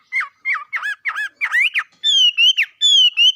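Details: A bird gives loud, clear whistled notes in quick succession, first dipping and looping, then higher drawn-out whistles sliding gently downward.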